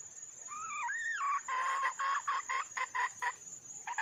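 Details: Wild hen junglefowl calling for a male: a wavering, whining two-part note, then a series of about ten short, harsh clucks at an uneven pace, over a steady high hiss.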